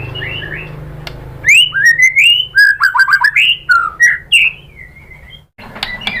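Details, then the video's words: A white-rumped shama sings as a lure to make other shamas reply: a quick sequence of rich rising and falling whistles and short chirps, followed by a softer, quieter ending. "bikin MURAI BATU jadi NYAUT GACOR BONGKAR MATERI TEMBAKAN ¦ PANCINGAN MURAI ¦ SHAMA BIRD"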